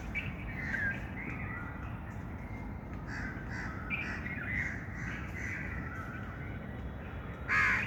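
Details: Birds calling together in a dense chorus, with overlapping harsh, mid-pitched calls rising and falling throughout, a louder burst near the end, over a steady low rumble.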